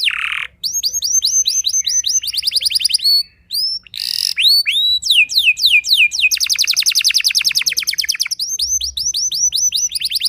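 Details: Extended canary song meant to provoke rival canaries: fast chirp series, buzzy trills, rising whistles, cascades of descending sweeps and a long dense rapid trill, with only short pauses.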